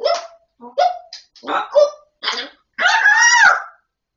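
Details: Grey parrot talking: several quick speech-like syllables in succession, then a longer sustained phrase with wavering tonal bands.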